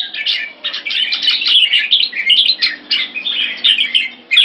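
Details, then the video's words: Caged red-whiskered bulbuls kept in Singapore in a keke training session pitting two birds against each other. Dense, fast chattering warbles with bright whistled notes pour out almost without pause, phrases overlapping in a lively, continuous stream. "Jambul - สิงคโปร์เลี้ยง นกหัวจุก"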